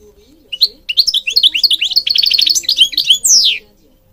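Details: Goldfinch in Morocco pouring out a rich, fast run of high twittering notes and trills, ending in a long downward-sliding buzzy note.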